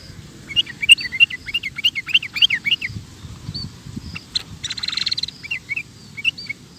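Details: Sooty-headed bulbul, recorded for teaching caged birds: rapid, bouncy series of looping chirps for about two seconds, followed by a short hissing burst and a few scattered notes, over low background noise.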